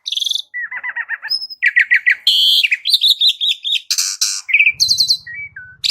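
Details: Asian pied starling song, intended to trigger singing in a kept bird: ringing stacked notes, a trilled series of dipping whistles, repeated chirps, buzzy rattles and a run of short whistled notes, with a brief low purring near the end.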